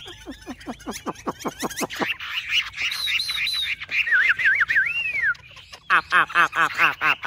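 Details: Two tame, hand-held Chinese hwamei singing in competition: a quick run of down-slurred notes, then loud, rich whistled phrases swooping up and down, and another fast ringing burst.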